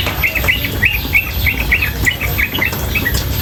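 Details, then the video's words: Female yellow-vented bulbul chattering nonstop in rapid ropel style, with water running: short bright chirps, each a quick up-down flick, given in an uneven series of about a dozen notes, over a steady low rushing background. "Trucukan Gacor BETINA Masteran trucukan betina dan suara air"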